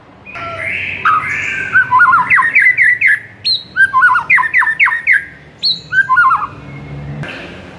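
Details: White-rumped shama master song used to stimulate a silent bird: varied whistled phrases with rapid slurred notes around the midrange, sharp upward sweeps and chattering trills, delivered in bursts across the clip.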